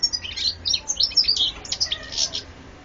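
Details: European goldfinch, 2014 recording, pouring out a dense stream of high tinkling twitters and slurred chirps, nearly continuous for almost three seconds.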